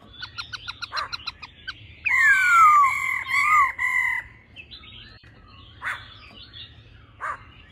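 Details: Laughingthrush female and male, the male in old forest voice, for rousing males: a fast run of short notes, then a long falling whistle over sustained ringing tones, followed by sparse faint calls.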